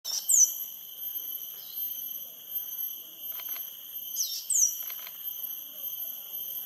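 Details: A female Copper-throated Sunbird calls from a perch at Sungei Buloh Nature Reserve, Singapore, where the species nests yearly: sharp, high, thin notes sliding downward in two bursts about four seconds apart, over a steady insect drone and soft clicks.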